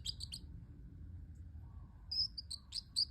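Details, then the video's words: Pet parrotlet chirping: a quick triple burst of high, squeaky notes, a pause, then a livelier string of shrill tweets and short whistled squeaks against a low background rumble. "the parrotlet making cute sounds"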